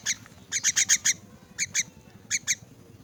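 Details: Orphaned myna, crippled, squawking loudly while fed: a fast series of five rough, buzzy notes, then two pairs of the same harsh calls after short breaks.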